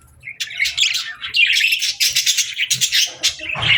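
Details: Pet budgies at feeding time: a group chattering with dense, fast, scratchy warbles and squeaky chirps in a lively overlapping stream, pausing briefly near the start and swelling toward the end.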